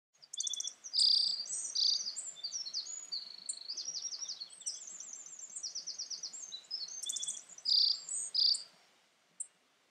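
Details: Black-faced bunting, a common summer visitor, recorded on May 3 at Urahoro, Hokkaido, Japan, sings high, bright phrases of sharp chips and quick buzzy trills, with a second phrase about six seconds after the first and softer chirps between.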